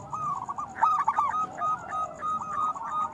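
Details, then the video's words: Dense cooing from local zebra doves, used to encourage other doves to sing: overlapping quick staccato notes and short trills running almost without a break. "Perkutut lokal gacor Suara Besar Panggilan Perkutut Agar Bunyi"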